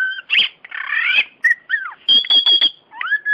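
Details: Champion Oriental magpie-robin singing: a rapid medley of clear whistles, buzzy rasping phrases, a drawn-out pure note and a falling slurred whistle, all loud and varied with brief pauses between phrases.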